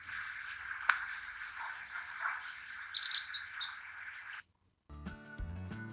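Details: A Purple-rumped Sunbird (Leptocoma zeylonica), a species endemic to the Indian Subcontinent, gives a quick burst of thin, high chirps over a steady background hum, then a few low musical notes at the end.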